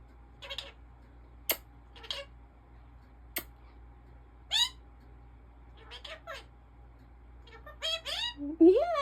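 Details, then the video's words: A talking pet African ringneck (rose-ringed) parakeet chatters in short, nasal, speech-like phrases such as "peekaboo", "hi" and "good boy", some rising into squeaky whistles, with sharp clicks between them. "Talking African Ringneck Parrot"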